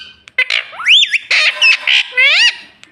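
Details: A pet ring-necked parrot talking indoors: a rapid run of sharp, high, wavering syllables and squeaky rising and falling notes, loud and clipped, as the bird repeats its learned words like "mummy".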